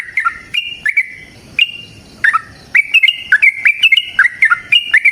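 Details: Sooty-headed bulbul giving long, lively fighting song meant to stimulate other birds to reply: scattered whistled phrases at first, then a dense run of bright, warbling two-note whistles, punctuated by crisp clicks.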